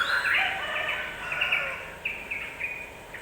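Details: Yellow-vented bulbul song played to provoke other birds and make them agitated: bubbly, chattering warbled phrases, then short bright rising notes repeated roughly every quarter second, with steady background hiss.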